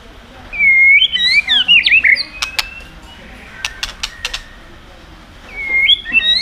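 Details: White-rumped shama belting out a many-voiced song to provoke other birds: bright twisting whistles and slurs, then a burst of dry clicks, and fresh whistled phrases at the end.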